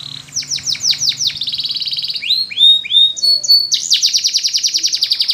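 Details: Training song of a canary: quick repeated downward-slurred notes lead into a dense buzzy trill, then a few rising and falling whistled notes and a long rapid pulsing roll, with a faint low hum early on.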